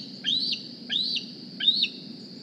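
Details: Decorah bald eaglet, 2020 season, back at the nest one morning begging for food: three shrill rising whistles spaced about 0.7 seconds apart, each ending in a sharp downward drop, with faint low background hum.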